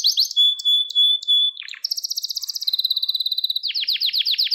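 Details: Gloster canary training song, meant to stimulate and excite males and to teach young canaries. It gives high clear whistled notes, a long pure tone, then fast buzzing rolls and rising chirp series in quick succession, with no background sound.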